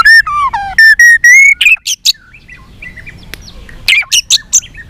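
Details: White-rumped shama singing an excited fighting song while flicking its tail. Loud clear whistled notes sweep up and down, then buzzy high bursts. A pause follows, then a cluster of sharp, high scratchy notes.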